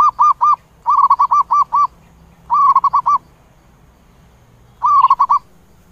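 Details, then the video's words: Zebra dove calling to the flock: bursts of quick, hollow cooing notes, about six to eight in each run, repeated with short pauses, against a quiet background. "Tiếng chim Cu Vằn Gọi Bầy"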